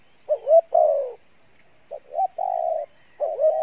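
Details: Spotted dove, field type, cooing in 'Bai Loi' style: a rising double note and a long hoarse coo, a pause, then soft short notes, a long flat coo, and another rising phrase.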